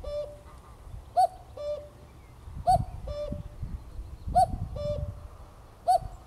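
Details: Common cuckoo recorded on 7 May 2024 at RSPB Greylake, Somerset. Four loud, hollow cu-coo calls fall from a higher to a lower note and repeat roughly every one and a half seconds. Faint low wind noise is heard throughout.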